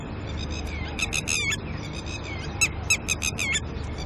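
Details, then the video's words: Alarmed red-wattled lapwings, a pair guarding chicks in the early morning and upset by a human's presence: quick clusters of strident, clipped notes, two main bursts about a second apart, over low rumbling background noise. "Red Wattled Lapwind"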